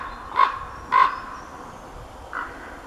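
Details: Common raven male giving two short, harsh croaks close together, followed by a fainter, softer call from a female in the background.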